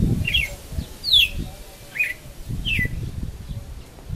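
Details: Young brown-plumaged red-cowled cardinal practising its song bit by bit. Short, sharp, down-slurred whistled notes repeat roughly every 0.8 seconds. A steady low rumble of background noise runs underneath.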